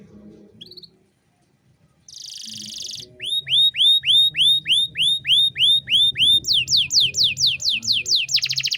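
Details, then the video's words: Canary tutor song, cengkok mewah style, for young birds to learn. A brief chip and a buzzy burst are followed by loud, evenly spaced falling whistles about three per second. These speed into a fast run and a rattle. "MASTERAN KENARI GACOR || Cengkok Mewah Mudah Masuk untuk Burung Bahan & Paud"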